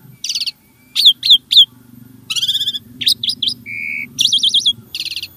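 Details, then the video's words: Starling singing to prompt caged birds: clipped chirps in a group of three, a buzzy rattle, a short low whistle and a warbling trill, over a faint low hum. "Kicau Burung Jalak | Cocok Untuk Pancingan"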